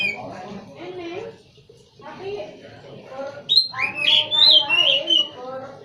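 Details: Singing Oriental magpie-robin (kacer): low human chatter gives way to a burst of loud, varied whistled phrases with rising and falling slurs and short trills near the end.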